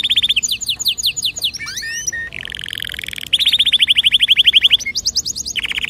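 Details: Canary song intended to stimulate other birds: high staccato trills, a flurry of sweeping notes, a low buzzy roll, then a long, loud rolling trill and further high trills.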